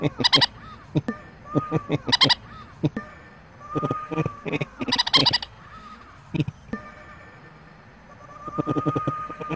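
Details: Pet painted conure laughing: bursts of harsh, broadband chuckling pulses in short runs separated by pauses, with a steady thin whistle-like tone running beneath.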